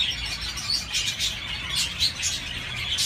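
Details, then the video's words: Short burst of budgerigar chirping: scratchy high chatter with a few clear, pinched whistled squeaks rising above the busy background of overlapping birds. "تغريد طيور الحب البادجي"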